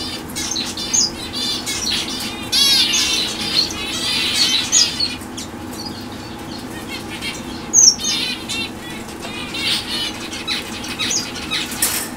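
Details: A fawn zebra finch hen (Taeniopygia guttata) gives short, nasal, high chirps in quick bursts, with fluttering wings nearby.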